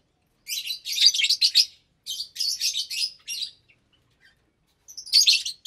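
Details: Around 25 caged lovebirds of parblue, euwing, opaline, lutino and albino varieties at meal time in a January 2023 aviary, some breeding and raising chicks: bursts of high, shrill, rapid chattering chirps from several birds, with short pauses between flurries.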